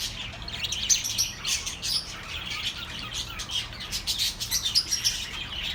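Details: Busy chorus of birds chirping for lonely pet birds, bright tweets and a few sharp whistled notes layered over constant twittering.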